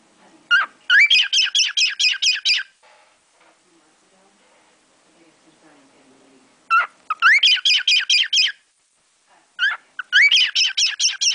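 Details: A pet cockatiel imitates songs learned from sparrows outside the window: three bursts of harsh, sparrow-like chirps, each a quick rising note followed by seven or eight rapid, high chirps, with quiet pauses between bursts.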